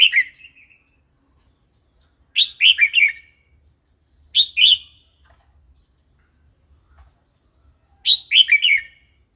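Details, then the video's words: A red-whiskered bulbul gives wild-style song for training new and young birds: a trailing note, then three separate bursts of three to four quick liquid, warbling notes spaced about two seconds apart, with a soft low rumble. "เสียงนกกรงหัวจุก เพลงป่า"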